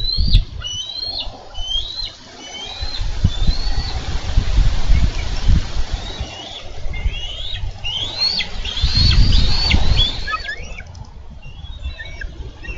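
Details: Male and female bald eagles on a Minnesota nest camera, 4 July 2013, struggling over a delivered carp; high, rapid chattering whistles come in two bursts, the second denser, with wind rumble and thumps beneath.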